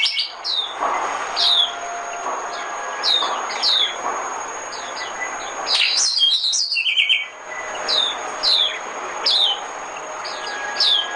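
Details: Oriental white-eye singing as a lure for trapping: groups of high, falling, thin notes repeated in short clusters, broken by a quicker warbled phrase midway, with a soft hum throughout.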